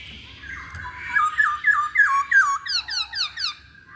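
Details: Masked laughingthrush song used as a lure to prompt other birds to sing: a run of loud whistled notes falling in steps, then a quicker series of high descending slurred notes, rhythmic and repeated about three per second.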